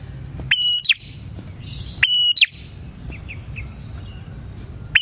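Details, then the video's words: Bar-winged prinia singing actively, a recording used to lure prinias: a sharp click opens a steady high whistled note that drops into a brief downslurred note, phrases about 1.5 seconds apart, with soft chirps and low background hum. "suara burung prenjak gacor ini 💯% ampuh untuk pikat prenjak dan pancingan prenjak"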